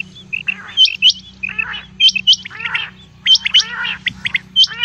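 Female common quail calling: sharp, high chirps paired with harsh, raspy nasal notes, repeated in bursts about once a second over a steady low electrical hum.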